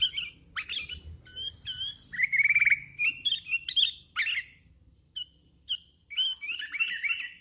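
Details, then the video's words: Sooty-headed bulbul, a hand-reared bird in full song, delivering a busy run of chirps, bright rising whistles and short buzzy slurs with only brief pauses, growing louder toward the middle. "Suara ASLI kutilang LOLOHAN GACOR"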